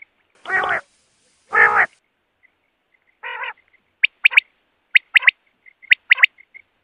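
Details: Two long, harsh, grating rasps and a shorter buzzy one, then a quail's crisp three-note calls, a short note then a quick pair, repeated about once a second.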